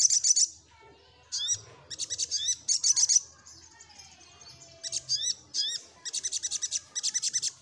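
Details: Seeking a rival, a little spiderhunter gives bursts of rapid, very high chips. Some bursts open with upslurred whistles, and silent gaps of about a second separate them.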